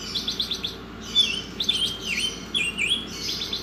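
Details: Short stretch of Oriental magpie-robin masteran song: quick stuttering rasps, then twisting whistled slurs and a dipping note, with more rasps at the close and a faint hum throughout.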